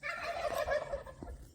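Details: A wild turkey gobbles at about seven in the morning in Choke Canyon State Park, Texas, with several more walking along an archery range: a rapid, rattling, descending burst of throaty notes lasting over a second, faint background noise.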